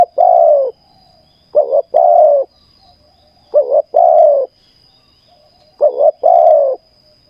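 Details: Caged spotted dove calling for ground trapping repeats its phrase three times, about every two seconds: a quick double note followed by a long, mellow, slightly descending coo, low-pitched with a quiet background.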